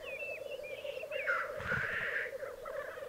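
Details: Black grouse displaying at an Alpine lek in Piedmont, Italy, recorded in 2022: a continuous bubbling drone with a drawn-out hissing rush in the middle, plus thin rising squeals early on.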